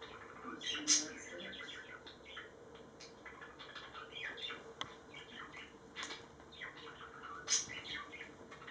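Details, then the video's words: Two pet budgerigars kissing and smooching in their cage in the evening, giving soft rapid chattering warbles of short scratchy chirps, a few louder squeaks standing out, with a steady electrical hum behind. "My budgies smooching and kissing"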